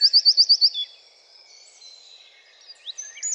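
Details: Wren song from a French garden birds collection opens with six quick, evenly spaced piercing notes, followed by softer high warbling and a few sharp notes at the end.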